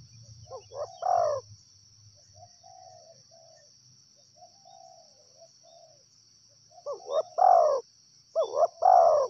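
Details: Wild spotted dove with loud wavering coos at the start and again near the end. Between them, softer distant coos from another dove can be heard in a quiet setting.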